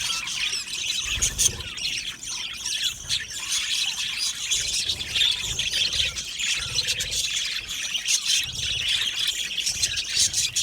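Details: Budgies in an Australian parrot aviary colony, a continuous chorus of squawky chirps and rapid warbling from numerous birds, dense and unbroken throughout.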